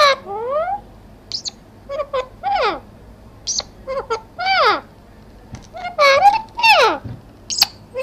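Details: Talking parrot giving a run of loud, harmonic whistled and squawky notes, many sweeping up or sliding down in pitch, in short bursts with brief pauses; a low steady hum runs underneath.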